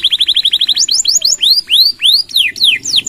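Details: Canary song delivered in long nembak bursts, meant for training and stimulating other birds: a fast run of repeated chirps accelerates into broad arching whistles and steep descending slurs, loud and clean.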